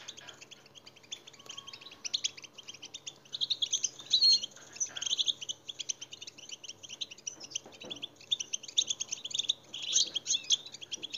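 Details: Goldfinch singing to prompt other goldfinches to sing, a continuous high twittering of rapid liquid notes and buzzy trills, swelling louder in the middle and again near the end, over a faint steady hum.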